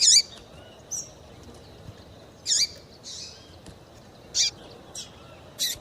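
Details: Female double-collared seedeater call, used to excite and stir up males kept for song tournaments; short high chirps and upslurred notes in separate bursts about every one and a half to two seconds, over quiet background hiss.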